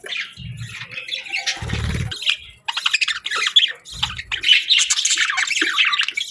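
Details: Budgerigars chattering in the morning with squawky, buzzy chirps and warbled phrases, interrupted by three low thumping bursts.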